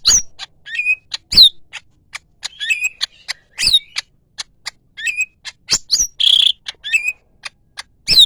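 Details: Greater green leafbird, yellow-headed, with a busy song of sharp high chirps, short rising whistles and soft ticks, and a harsh buzzy burst partway through.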